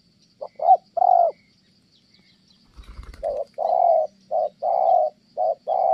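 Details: Cooing spotted dove, a trapping bird from Kon Tum, Vietnam, noted for good tone: quick short notes and a drawn-out coo, a brief low thump and rustle, then a run of evenly alternating short and long coos.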